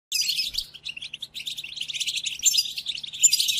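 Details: European goldfinch song played for training captive goldfinches during moult: continuous rapid high twittering of liquid chirps and buzzy trills, unbroken for over three seconds, with a faint low hum beneath.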